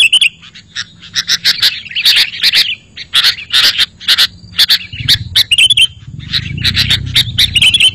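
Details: Sooty-headed bulbul lure and master song, used to attract wild bulbuls and prompt idle caged ones to answer: bursts of sharp, bright chirps and chattering notes in irregular runs, with a low rumble of background noise in the final seconds.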